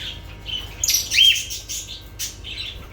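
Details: Lovebirds chattering with a jumble of shrill squeaks and one brighter, louder chirp near the middle, followed by scratchy softer notes.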